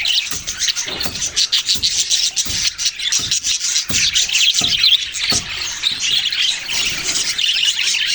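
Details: Budgerigars chirp and warble in a thick, high-pitched chatter, with faint clicks or taps sounding at intervals beneath the birdsong.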